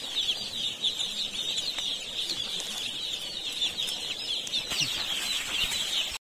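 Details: Many little baby chicks in an Indian poultry farm, their high peeping merging into a dense, unbroken chorus, with soft scuffling and background hiss throughout.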